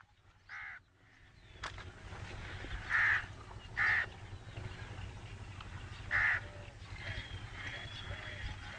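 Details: Black francolin calling at a distance with scattered harsh, buzzy notes spaced a second or more apart, over steady low background rumble and faint other bird sounds.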